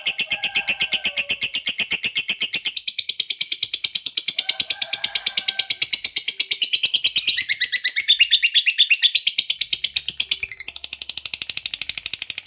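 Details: Long ngekek song from a lovebird, meant to provoke other lovebirds: rapid, continuous rattling chatter of shrill notes that shifts into a rougher, more broken stretch near the end, with faint room noise.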